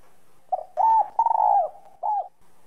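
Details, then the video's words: Spotted dove in whistle voice, cooing to stir other doves: brief soft coo, a clear sustained note, a long trembling coo sliding down, then one last shorter coo. "Cu gáy giọng còi. tiếng chim cu gáy giọng còi gáy kích bổi"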